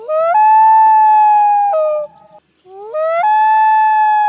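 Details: Common loon; call; communication between mates and marking territory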